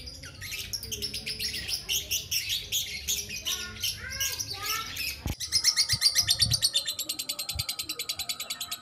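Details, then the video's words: Balibu lovebird chattering in long ngekek style: high, uneven twittering notes and short slurred chirps, a sharp knock, then a rapid, loud, regular train of high pulsed notes to the end. "LOVE BIRD BALIBU GACOR NGEKEK PANJANG"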